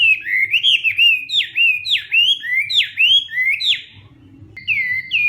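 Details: Hwamei morning song, practised as competition singing. Loud down-slurred whistles repeat about three times per second, then the bird pauses briefly and resumes with higher, sharper notes.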